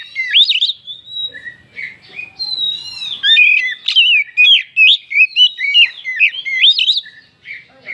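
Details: Exciting song of an oriental magpie-robin used as a lure: a long, varied stream of sliding whistles, twitters and fluty notes with few pauses.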